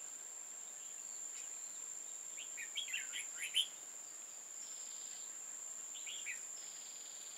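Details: Bulbul trapping on 15 October 2018, with an old wild red-whiskered bulbul, tall-crested and deep-bibbed: a cluster of rapid bright chirping notes near the middle, a shorter phrase later, and a continuous high electronic-like whine throughout.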